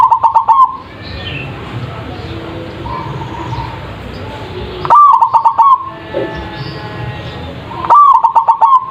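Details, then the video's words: Zebra dove, called perkutut, giving a big-voiced lure song meant to make other birds answer: three short bursts of quick, pulsing coos spaced about three to four seconds apart, with a soft hissy background between them. "PANCINGAN PERKUTUT anti GAGAL suara GEDE langsung nyaut.!!!"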